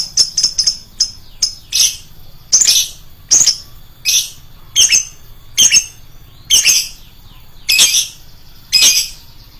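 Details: Lovebird lure sound, stated as loud and piercing: quick high chirps at the start, then longer harsh, buzzy squawks roughly once a second.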